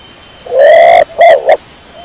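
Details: A 'dara kecor' pigeon gives one loud phrase: a long even coo, then two quick shorter notes, clear against faint hiss.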